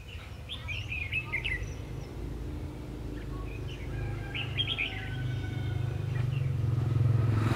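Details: Red-whiskered bulbul from the countryside singing a fighting song while being trapped, 3 January 2019. Quick warbled phrases of rapid chirps come early and midway, with engine rumble from passing vehicles growing louder toward the end.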